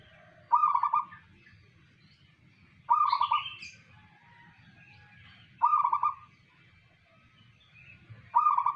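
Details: A local zebra dove sings short, rapid, bubbling coo phrases about every three seconds, with faint chirps from other birds and a low background hum.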